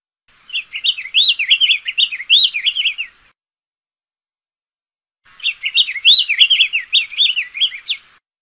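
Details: Diademed tanager singing two long phrases separated by a two-second gap, each a rapid, tumbling series of bright warbled whistles with slight high overtones, clear and unaccompanied.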